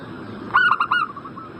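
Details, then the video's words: A lure call of a zebra dove, meant to make a bird in breeding condition answer quickly: one crisp phrase of four rapid, rolling coos, with soft, drawn-out cooing lingering behind. "Pancingan burung perkutut Agar Cepat Nyaut"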